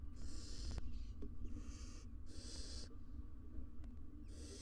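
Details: Wild barn owl parents with three nestlings inside a nest box on a live camera; breathy hissing bursts, one long and several shorter, rise and fade over a low background hum.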